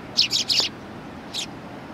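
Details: Sparrows welcoming a visitor at a Tenmangu shrine, recorded 18 September 2020: three loud, bright chirps in quick succession, then a pause and one softer chirp, against low outdoor hiss.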